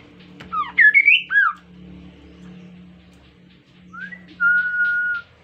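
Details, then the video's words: Captive insectivorous Kaso-kaso bird in full song, used as a lure for other birds: a tangle of quick swooping whistled notes, a pause, then a rising note into a long steady whistle, over a low steady hum. "KASO KASO GACOR COCOK UNTUK PANCINGAN BIAR IKUTAN GACOR JUGA"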